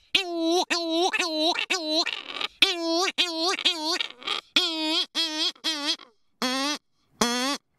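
Cory's shearwater gives nasal, wailing, almost human-sounding notes in quick runs of short cries, broken by brief pauses, then a few slower drawn-out wails.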